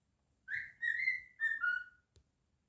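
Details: Indoor pet cockatiel, male, singing: a single phrase of four bright whistled notes, the first swelling upward and the rest drifting down step by step, ending after about a second and a half, followed by a faint tap.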